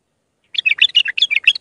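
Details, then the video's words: Iraqi bulbul singing in the raw Mandalawi style as a teaching recording for young bulbuls. Rapid, liquid warbling of quick rising and falling notes follows a short silence. "تغريد بلبل عراقي خام مندلاوي راقي ساعة كاملة التعليم افراخ البلابل"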